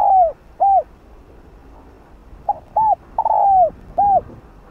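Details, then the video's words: Decoy spotted dove calling to draw in wild doves: low hooting coos in short phrases, brief notes around a long sliding, slightly falling coo, repeated after a pause, with quiet background. "Cu gáy mồi đất kích bổi nhanh gáy/Chim cu gáy kích bổi nhanh nổi/cu đất gáy kích bổi"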